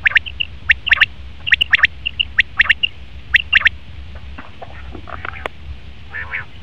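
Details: Male common quail calling, short clipped notes bunched in quick groups of two to three, repeated at brief intervals, then fainter scattered notes and a soft trailing sound near the end over a low background rumble.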